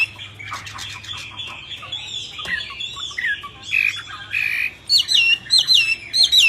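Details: Myna song among wild birds: varied squawks and chattering notes, then loud repeated whistled rising-and-falling phrases in the second half, with other bird calls mixed in.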